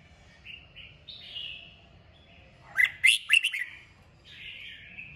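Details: Red-whiskered bulbul giving intense 'kích bổi' song used to stimulate singing: gentle warbled phrases, then a loud cluster of four or five sharp liquid whistles, followed by more high chattering.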